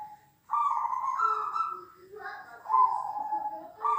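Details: Overlapping zebra dove coos, big and small birds, aimed at building a caged dove's confidence; long stepped phrases that rise then drop, with a second, softer bird weaving lower notes beneath.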